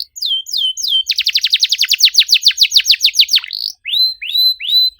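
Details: Canary singing a lure song for stalled birds in tight 'cuit cuit' delivery: three upslurred whistles, a fast run of steep descending sweeps, a short buzz, then more rising whistled notes.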